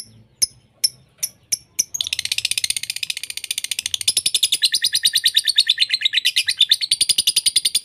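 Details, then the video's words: Lovebird voices mixed into a lure and master track for training lovebirds: six sharp separate chips, then a long, dense, very rapid high chattering trill that continues unbroken to the end. "Masteran Pemikat lovebird - untuk semua jenis Lovebird"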